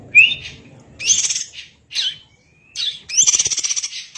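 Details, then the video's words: Greater green leafbird (cucak ijo), kacer-like training song: a bright upslurred whistle followed by several harsh, buzzy chattering bursts and a long scratchy rattle at the end. "Burung Cucak Ijo Gacor Suara rapet - cucak hijau Gacor rasa kacer |Masteran CUCAK IJO Juara"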